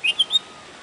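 A bulbul gives three quick, bright whistled notes in under half a second, the last rising slightly, followed by a faint hiss of background.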